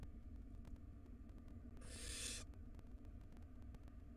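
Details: One half-second rasping hiss from a wild barn owl nestling in a nest box at feeding time, set against steady low hum and faint clicks.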